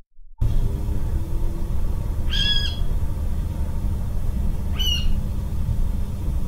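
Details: Water rail call recorded 24 December 2021: two separate harsh, squealing arched notes a few seconds apart, with steady low rumbling noise throughout.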